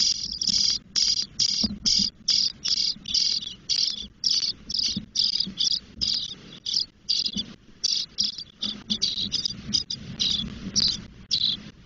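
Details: Ten-day-old Spotless starling chicks begging in the nest in Doñana National Park, Spain, as the female brings food and removes droppings; harsh, hissing bursts repeated roughly twice a second in an almost continuous chorus.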